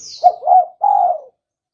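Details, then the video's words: One spotted dove phrase from a trapping lure call: two short, rounded coos followed by a longer, gently falling hoot, preceded by a thin high whistle from another bird. "Suara burung tekukur"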